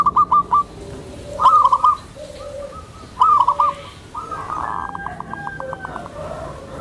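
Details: Gentle call of a tame zebra dove, kept to draw in other zebra doves and to train new ones: clusters of rapid staccato coos repeated every second or two, ending in a longer rattling trill over light background noise.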